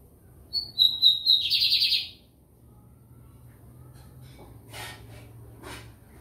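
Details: A lined seedeater known locally as bigodinho americano, from São Luís in Maranhão. It gives high piercing whistles and a short intense buzzing trill, followed by a few scattered clicks and knocks against a soft hum.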